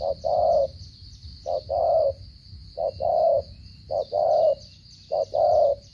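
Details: Spotted dove from Cà Mau, coo style locally called 'giao long' and 'gù cà lăm' (stuttering coo): low mellow two-part coos, a short note then a longer falling one, repeated about every 1.2 seconds, with a steady high insect-like hum behind.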